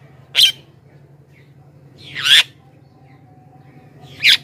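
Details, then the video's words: Javan myna sound meant to lure wild mynas: three loud, rasping squawks about two seconds apart, the middle one longer and broader. "suara burung jalak kebo gacor"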